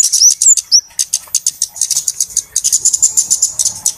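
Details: Flowerpecker (kemade) lure recording used for trapping birds, busy and noisy: rapid, very high dry ticks repeated several times a second, with a few thin, sharply rising whistled notes near the start.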